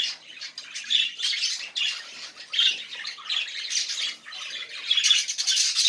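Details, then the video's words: Budgerigar warbling used to stimulate non-singing budgies: rapid grating chatter mixed with short squawks and clicks, rising and falling in loudness without a break. "muhabbet kuş sesi ötmeyen muhabbet kalmasın"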